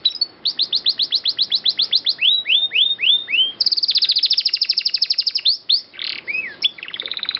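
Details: A canary rolls at length on a master recording for training birds: quick even trill, swooping whistled notes, then a dense buzzy high trill, a harsh note and renewed fast chatter.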